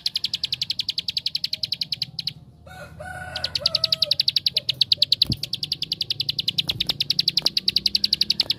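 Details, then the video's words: Bar-winged prinia (ciblek sawah) pouring out a fast train of high chips as a lure to make other prinias sing. The run stops briefly while a lower, wavering call sounds, then resumes steadily. "Suara Tembakan Ampuh Untuk Pancingan Ciblek Sawah Anda"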